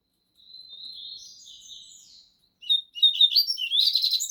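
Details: Caged coleiro (Double-collared Seedeater) of the 'bico de aço' or 'trem bala' song style in a singing contest: a thin, drawn-out whistled note slides down, then a fast, dense run of high chirps follows.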